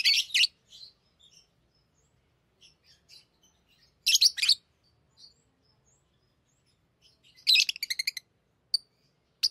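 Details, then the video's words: Hand-tamed lovebirds playing with rings: loud shrill chirp bursts, scattered soft squeaks, then a rapid rattling run of clicks and a couple of sharp single notes. "Love birds Talking | Singing Sounds"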